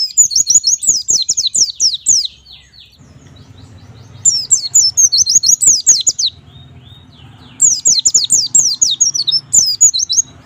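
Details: Lively white-eye song in the 'gacor nembak' style, used to stimulate young birds to sing: three separate volleys of rapid, piercing, downward-slurred whistles, each about two seconds long, separated by quiet gaps.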